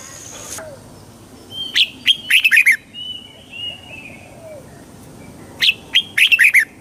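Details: Red-whiskered bulbul song for exciting birds: a short run of bright, bouncing whistled notes, soft fainter warbles between, then the lively phrase repeated near the end; a faint continuous high tone persists.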